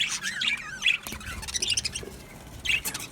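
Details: Male budgerigars in an aviary colony, recorded 8 December 2025, give scattered bright chirps and short warbled notes in brief bursts, with quieter gaps between calls.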